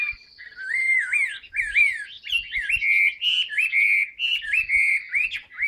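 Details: Caged Chinese hwamei in full song: a continuous string of loud, clear wavering whistles, each note swooping up and down, repeated in quick succession with faint clicks behind.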